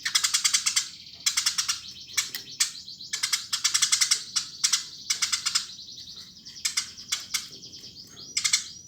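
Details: Lively, chattering Eurasian tree sparrow: dense strings of bright, scratchy chirps delivered in rapid rattling bursts of about half a second to a second, nearly continuous over the stretch, with short gaps between runs.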